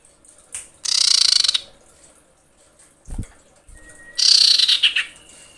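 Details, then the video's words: Female common iora calling males: two bursts of high, rapid trilled buzzing separated by a pause with a thump and a short whistle. "dengar panggilan cipow betina ini"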